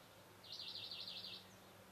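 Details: Male great spotted woodpecker at Camorritos, Cercedilla, recorded on 16 May 2009; one rapid series of about ten sharp, high chattering notes lasting roughly a second over faint low background hum.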